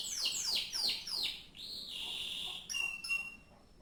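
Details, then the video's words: Canary singing four quick downward-swept whistles, a sustained flat whistled tone, then a few short high piping notes. "kenari mirip sang legenda tc1"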